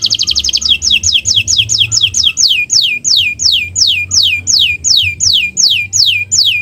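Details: Canary in full owor-owor song: a quick burst of notes, then clear whistles sliding steeply downward, repeated about three times a second, with a faint low hum behind.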